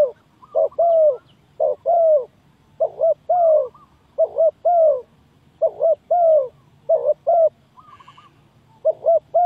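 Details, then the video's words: Lure recording for trapping spotted doves: a steady series of deep, soft coos in doublets, a clipped note then a longer slurred one, with a faint higher chirp briefly audible near the end. "Very Good Trap dove"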